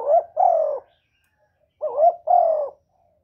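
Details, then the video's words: Decoy spotted dove cooing in a duel with a wild bird, close and clear: two paired phrases, each a short rising note followed by a longer, slightly falling coo, separated by silence. "Tiếng cu mồi lỡ gù đấu bổi"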